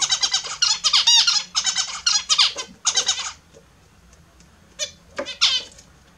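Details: Australian zebra finches taking a morning bath: three seconds of rapid, loud nasal honking calls, then near quiet with a few isolated soft notes.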